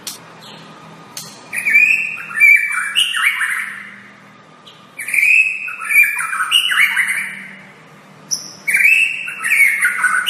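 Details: White-rumped shama tutor song: three long bursts of fast, varied warbling with slurred whistles and harsh high twitters, each several seconds long and separated by short pauses; faint hum behind.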